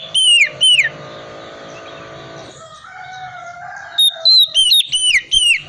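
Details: Oriental magpie-robin singing ngriwik style, played to prompt silent birds to sing: loud, clear downslurred whistles, a pause with soft lower tones, then a quick cluster of bright falling whistles.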